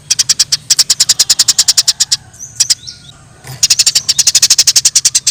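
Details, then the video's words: Wild Eurasian tree sparrow fighting: a fast, steady run of sharp, high chirps at about five per second, broken midway by a short pause with faint thin notes, then another long rapid burst. "Suara Gereja Di alam liar Gereja Tarung suara jernih"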